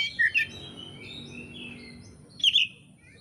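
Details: Indonesian oriental magpie-robin, recorded as song-training material for bird keepers: two bright chirps, soft warbling, then a loud sharp double note, heard against noticeable broad background noise.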